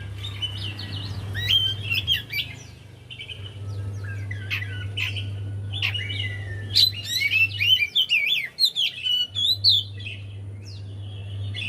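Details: Javan white-eye song played as a lure to prompt a quiet bird to sing: busy run of high, sweet chirps and quick sliding whistles, loosest and densest near the middle, over a steady low electrical hum.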